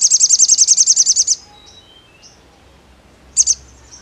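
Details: Sogon singing a rapid, high trill of about fourteen even, sharp notes for over a second. After a pause come two quick high chirps. Faint thin whistles are heard in between.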